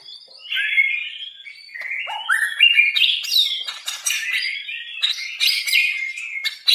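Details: White-rumped shama, described as an original Medan bird, delivering a lively song of clear whistles, slurred upward notes and rapid chattering trills in quick succession, loud and continuous.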